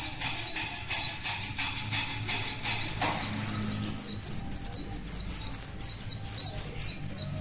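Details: A long morning performance by a wild one-year-old white-eye: over seven seconds of tightly repeated high, thin notes that each slip downward, delivered evenly and almost without pause, with a faint low hum behind.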